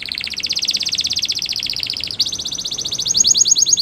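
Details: Canary singing a training song, a continuous fast rolling trill that shifts to a new pitch midway and climbs higher and louder near the end.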